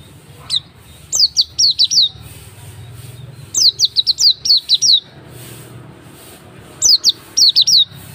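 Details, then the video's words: Oriental white-eye singing, played to prompt another bird to sing; very high, thin, quick descending chirps in rapid bursts of three to five notes, repeated every couple of seconds over a low hum. "Pancingan pleci auri agar bunyi"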